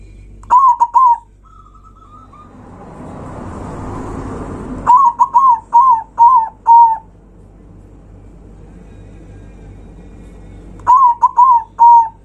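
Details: Zebra dove giving a loud song meant to provoke rival birds: three phrases of quick, clipped cooing notes, each ending in a longer drawn coo, with a broad hissing noise between the first two phrases.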